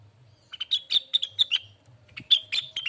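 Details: Lesser green leafbird song as master material for kept birds: a series of short, sharp whistled notes and chips, bright and clipped, delivered in two quick runs.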